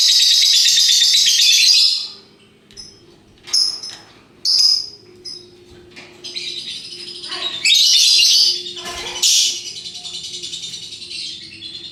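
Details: Lovebird, a parrot, delivering ngekek song: a long, loud, dense high chatter that opens the clip, then scattered sharp chirps and a second rasping run of chatter, with a faint steady low hum beneath.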